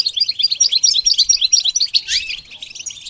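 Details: Rhythmic goldfinch twitter of evenly spaced high chirps, about two per second, with one downward-sweeping buzzy note partway through.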